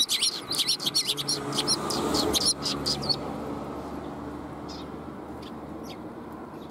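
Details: Sparrows gathering to get food, 20 March 2021: a quick run of bright, high twittering chirps fills the opening three seconds, then fades to a few faint distant notes over a low rumbling background.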